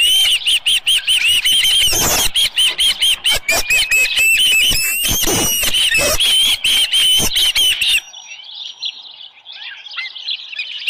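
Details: Osprey at the nest on a July 24, 2018 morning around 6:52, with a headless fish: rapid series of high, sharp piping chirps about two per second over knocking and thumping for eight seconds, then a sudden drop to faint, muffled sounds.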